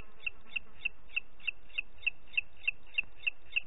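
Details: Booted eagle, Parc Natural dels Ports, 30 June 2021, 11:01: a continuous chain of about twelve quick, piercing high notes spaced roughly a third of a second apart, over faint low noise.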